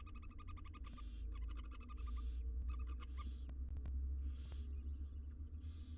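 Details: Six wild nestling barn owls in a camera-watched nest box during feeding, rapid rattling click trains broken by loud rasping hisses about every one and a half seconds, with a deep steady hum beneath.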